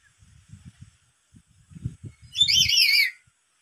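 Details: A black-capped lory, excited by a lure call, lets out a single long, shrill, undulating screech after a stretch of soft low tapping and rustling.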